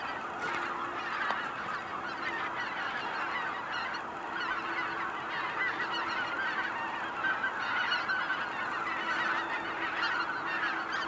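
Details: Cackling geese at Kejonuma call in a thick, continuous chorus of high honks, with a low steady drone underneath and short hissy bursts near the start and end.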